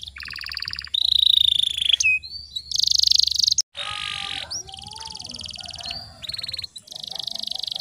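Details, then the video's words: Canary singing meant to coax a silent bird into song: a varied string of separate tours, from fast buzzy trills and rolling rattles to short rising whistles, each lasting about a second with brief gaps between. "PANCINGAN KENARI MACET BUNYI PALING DI CARI"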